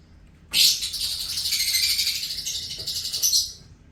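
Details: Pet lovebird singing: a continuous burst of harsh, buzzy, high chattering lasting about three seconds, dense and scratchy throughout, with a brief sharper squeak near the end before it stops abruptly.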